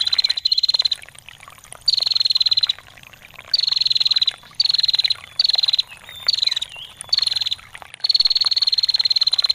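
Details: Repeated ngetir trills from a female bar-winged prinia: about eight bursts of rapid, high, metallic ticking, each roughly one second long, with brief gaps where trickling water is heard.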